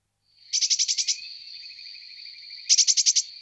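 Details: Eurasian blue tit, two bursts of about seven rapid buzzy high notes each, separated by a steady thin tone, quiet background.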